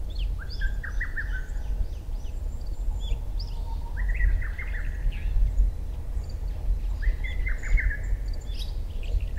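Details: Dawn Lesser cuckoo song in June, after 4 am, taken with a Sony PBR-330 parabolic reflector and ECM-CS3 mic; three phrases of rapid falling notes about three seconds apart, amid a chorus of thin high chirps from other small birds.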